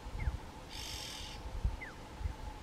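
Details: An oxpecker perched on a kudu bull's back gives its alarm call, which warns its host of approaching danger: a harsh, hissing half-second rasp between two thin down-slurred whistles, over low rumbling wind.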